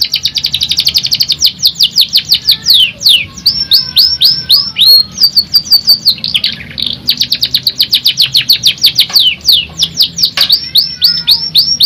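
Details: Canary singing vigorously and without pause: long fast trills of sharp descending notes, broken by brief whistled phrases and buzzy segments, then more rapid rolling trills, all high-pitched over a soft low hum.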